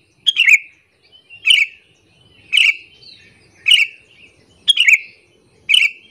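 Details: Lure call of a sooty-headed bulbul, meant to provoke rival bulbuls: six loud chirps roughly once per second, each a short crisp burst trailing into a downward slurred whistle.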